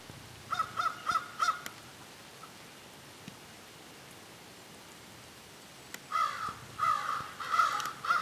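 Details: Crows in a group exchange, a quick series of four harsh caws, a long quiet pause, then another run of hoarse repeated caws in open outdoor air.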